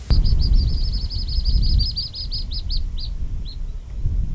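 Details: Juvenile little grebes at Oare Marshes call on a parent to feed them, recorded from about 10–12 ft away: rapid, high, thin begging peeps that slow and fade after three seconds, over a low wind rumble.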